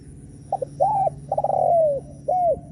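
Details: Cooing spotted dove, a call meant to provoke rival doves: two quick short notes, a smooth arched coo, a drawn-out wavering coo that falls away, then one more rounded coo after a pause.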